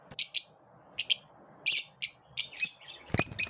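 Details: Paired and single high chirps from lovebirds in the morning, separated by short silences, with a louder broadband scratchy note near the end.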